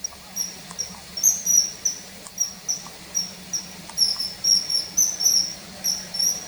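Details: Common kingfisher, filmed hovering and diving to hunt in mid-March 2021, with calls inserted from a field guide: piercing high whistled notes in rapid runs and pairs, fairly loud against a quiet hiss.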